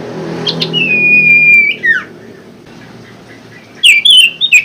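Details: Common Iora (sirtu) song intended to restart caged birds that have gone quiet: a long, level drawn-out whistle ending in a downward slur, silence, then a quick burst of sharp wavering whistles.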